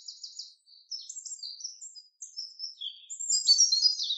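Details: Common chaffinch singing in a forest: a quick run of high, thin chirping notes in short bursts, rising into a denser, brighter twittering flourish near the end, with no other sounds.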